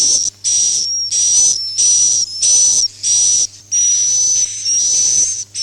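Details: Lure for swiftlet farming in the suara inap "Masal" style: bright, hissing, high whistled chirrs repeated in about eight bursts of roughly half a second, with brief gaps between them.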